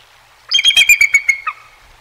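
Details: A bald eagle of the Decorah North nest pair, male and female seen close on a sunny 20 February 2023, gives a thin, high chittering call: about seven quick piping notes over a whistled tone sliding slightly down, lasting about a second.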